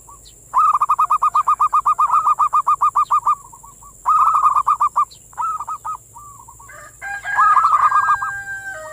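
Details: Zebra dove singing manggung, used to stimulate the breeding urge of local doves: long strings of fast, evenly repeated coo notes in two phrases, then shorter rolls, and finally a higher, more tonal overlapping call, with steady high hiss throughout.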